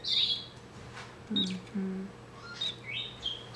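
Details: An old, tame male pet Bourke's parakeet, which the owner suspects has had a stroke, cheeps in distress with thin, high cheeps in short irregular bursts, about one a second, over faint low room hums.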